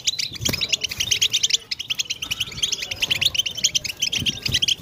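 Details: Several European goldfinches twittering as a motivational chorus for males, with mating calls: bright, rapid, jangling notes in quick rhythmic clusters, loud and continuous, with faint low thuds underneath.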